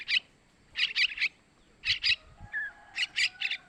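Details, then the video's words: Begging notes of a young sooty-headed bulbul, used to lure males: short groups of shrill, rasping chirps in twos and threes, with a faint thin whistle late on. "Suara Anakan Trucukan buat Pancingan burung Trucukan jantan"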